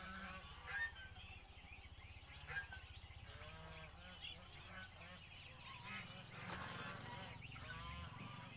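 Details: Male wild turkey courting a female; repeated, overlapping nasal yelping notes over a steady low throbbing rumble.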